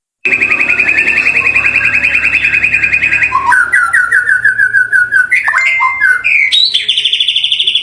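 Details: White-rumped shama song played to provoke other birds into singing: long runs of rapid repeated whistled notes, shifting to lower trills and then high sweeping phrases, over a steady low hum.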